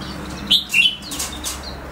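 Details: Two-month-old goldfinch hybrid singing: two short, bright, slightly buzzy chirps close together in the middle of the clip, followed by faint thin high notes, with soft rustling and clicks in the background.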